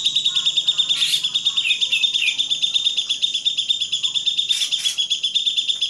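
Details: Grey-cheeked bulbul, a master recording for training songbirds: dense high chattering over a steady shrill tone, rapid chirps repeated about three times a second, with a few downward-slurred whistles.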